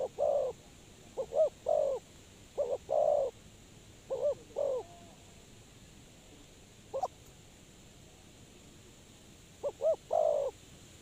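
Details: Spotted dove used as a trapping lure, uttering clusters of two or three short hollow notes with long silent gaps between groups, sparse and quiet.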